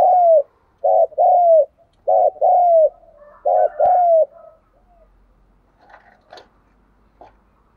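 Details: Spotted dove decoy bird, a caged lure recorded by its keeper, calling: three loud two-part coos, each a short warbled note then a longer falling one, followed by faint softer notes.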